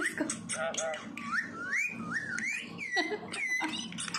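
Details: Pet parrot kept at home, shown talking: a run of clear whistled, speech-like notes sliding up and down, several rising and falling glides in quick succession, with faint background music.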